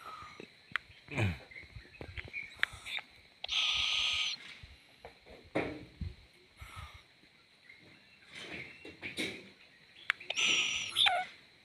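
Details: Young owl swaying comically, giving two long, rasping hisses, the first about a second long and the second shorter near the end, between scattered knocks and soft rustles.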